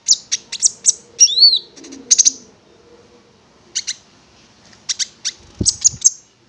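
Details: Konin prinia lure recording: high chirps and a slurred whistle early on, a quiet gap, then scattered high notes with a brief low thump near the end.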